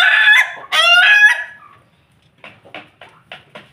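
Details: Ayam Ketawa rooster kept with a family of Pelung Bangkok chickens, giving two loud harmonic crow bursts in the first 1.5 seconds, followed by a pause and a run of short, soft clucking notes.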